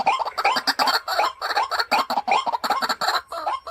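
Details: Caged white-breasted waterhen used as a decoy, uttering rapid rough croaking calls in quick uneven bursts without pause.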